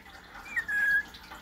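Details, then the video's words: A cockatoo whining: a quick high chirp, then a steady, thin, level whine held about a third of a second, against quiet indoor room tone. "COCKATOO WHINING"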